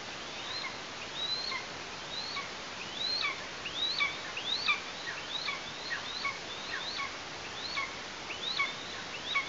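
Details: Eastern imperial eagle chick Ursala at a nest in Tatarstan on 16 August 2023, as the parents bring prey, giving thin, high, up-and-down squeals roughly every second over a steady outdoor hiss.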